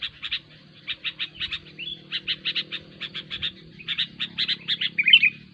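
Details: Sooty-headed bulbul, or kutilang, chattering busily in a recording used to attract bulbuls for trapping. Rapid clipped chirps repeat several times a second in uneven bursts, ending in a brief squeaky flourish.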